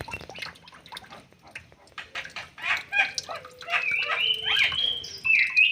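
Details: White-rumped shama released into an aviary and settling into its new home: a varied song of sweet whistles and long sliding notes, with many clicks and rustles mixed in, ending in a loud clear whistled phrase.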